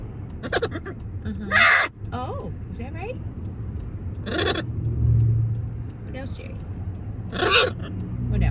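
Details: Macaw giving harsh, broadband squawks at about 1.7, 4.5 and 7.5 seconds, spaced roughly three seconds apart, with a person talking in between over a steady low engine-like rumble.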